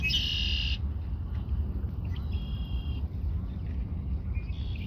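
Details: Red-winged blackbird singing toward the recordist at Montrose Point Bird Sanctuary: a buzzy burst, then a thinner tonal trill and a short final buzz, over a steady low rumble of wind or distant traffic.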